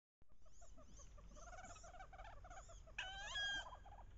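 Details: Wood duck hen vocalizing during the October mating ritual on a bayou; steady rapid chattering from several birds, then one loud, strained, rising squeal lasting about half a second near the end.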